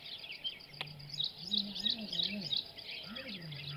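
A red-whiskered bulbul gives five short, bright chirps about three times a second over rustling background noise, with a low human voice murmuring underneath.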